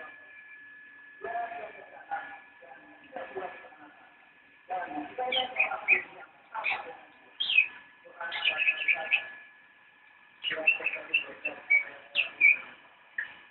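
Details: Javan white-eye, locally called cicak rowo, singing in the nyinden style: bursts of rapid high chirpy twittering notes separated by short pauses, over a steady faint electronic hum and some low murmuring.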